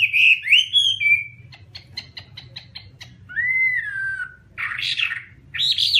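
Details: Chinese hwamei delivering bright whistled phrases, a string of dry ticking notes, one long smooth descending whistle, then scratchy, buzzy bursts.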